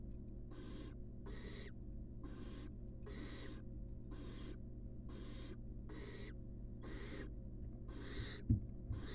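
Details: Wild barn owl chick in a nest box, being fed a rat: harsh, hissing screeches repeated about every second, each a broad noisy burst, over a steady low hum.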